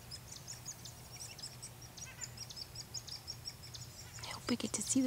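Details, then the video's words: Male and female hairy woodpeckers feeding young in a front-yard tree: thin, high chirps in a quick, uneven series over a low hum, with louder scratchy sounds near the end. "Male & Female Hairy Woodpecker feeding baby(ies)"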